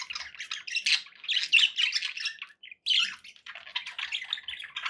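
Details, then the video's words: Several pet budgerigars chattering: a dense, scratchy warble of rapid chirps and harsh squawks runs almost unbroken for over two seconds, breaks off in a brief silence, then resumes as busy twittering to the end. "budgie sounds for pet birds"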